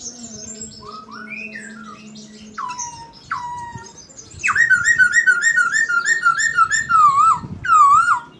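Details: Chinese hwamei singing with murai phrases: soft descending slurs, then a loud stretch of rapid wavering whistled notes with a final looping whistle.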